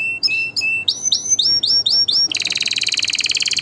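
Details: Captive canary singing, played to teach young birds and prompt mating: a few short chirps, then six clear upswept whistles in a row, ending in a rapid, even rolling trill.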